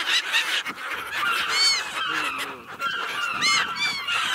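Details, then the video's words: Gulls giving loud, clear, ringing cries that stand out from a crowded background of other seagulls calling. "Relax with the sound of the seagulls"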